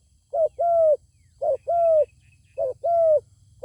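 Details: Zebra dove answering a wild bird that refuses to come down and fight, giving clear mellow coos: a short stuttered pair, then a drawn-out bowed note, repeated three times over a faint low rumble.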